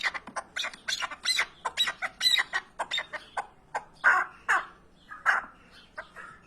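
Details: Partridge calling, a peaceful-sounding rapid series of harsh, clucking chuck notes, about three per second, slowing into spaced, louder bursts toward the end; no other sounds stand out.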